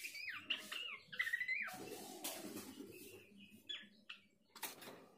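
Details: A bush babbler (pelanduk semak), whose call is used as a lure to provoke other birds into calling, sings clear whistled notes that slur up and down, with scratchy bursts between phrases.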